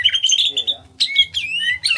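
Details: Greater green leafbird from Kalimantan, a small-bodied bird, singing energetically: clear whistled notes near one pitch, then a pause and rich warbled phrases with slurred rising notes; faint low hum in the background.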